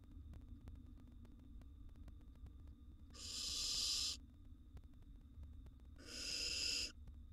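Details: Wild barn owl nestling in a monitored nest box while swallowing a gerbil, giving two harsh, breathy hissing screeches about a second long, roughly three seconds apart, over a steady electrical hum.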